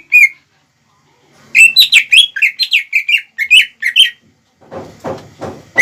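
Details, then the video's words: Greater green leafbird in full song, played as a lure to provoke rival birds, young or untrained. A short note, then a fast run of varied, sharp whistled notes and slurs. Ends with a lower, rougher burst. "PANCINGAN CUCAK IJO GACOR CEPAT MEMANCING EMOSI LAWAN"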